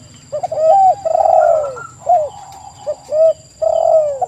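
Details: Spotted dove song from a lure recording; a quick hooked coo, a long warbling downslurred phrase, then shorter coos spaced about half a second apart, with a faint high hum.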